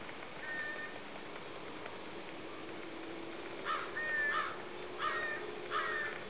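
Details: Snow goose, subspecies atlanticus, 7.8.12: a quiet opening, then four loud, harsh honks in quick succession near the end, with steady low background noise.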